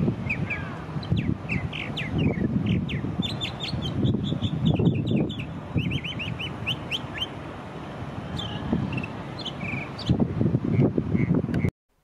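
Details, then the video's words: Northern Mockingbird, a mimic heard in winter in eastern North America, sings a varied run of borrowed phrases of other birds' songs, each short chirp or whistle repeated several times before switching, over a steady low rumble. "the northern mocking bird is a mimic and will sing the songs of other birds or make man-made noises"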